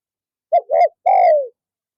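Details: A single coo phrase from a decoy spotted dove used to lure wild doves in the afternoon: two short rounded notes, then a sustained, smoothly descending coo lasting about half a second.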